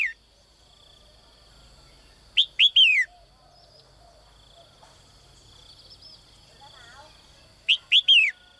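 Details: Caged female bird calling in the morning to attract a strong male: two sharp rising chirps and a longer downward-slurred whistle, the phrase given twice several seconds apart over a steady high-pitched hum.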